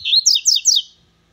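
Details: Double-collared seedeater warming up: three or four loud, swooping, slightly buzzy notes delivered in a fast run, then silence.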